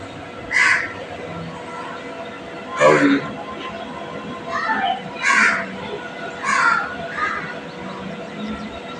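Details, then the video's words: Green parrot kept as a pet: four loud, harsh, broadband squawks spaced a couple of seconds apart, with people talking, laughing and calling to it in the background. "Green parrot 🦜 talking natural sound"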